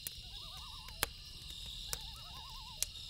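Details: Loons calling at night beside a crackling campfire: two wavering, quavering tremolo phrases in the middle pitch range, each about half a second long, over a steady high insect hum and sharp fire pops.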